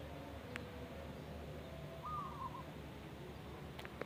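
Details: Local zebra dove in the wild gives a single brief trilling coo phrase, a rapid run of soft mid-pitched notes, against constant low-frequency background hum and a couple of sharp clicks.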